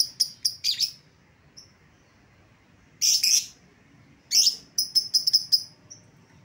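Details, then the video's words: Lovebird lure sound for recalling an escaped bird: a few shrill chirps, then two harsh screechy bursts, followed by a quick run of sharp high notes. "suara pikat lovebird yang lepas"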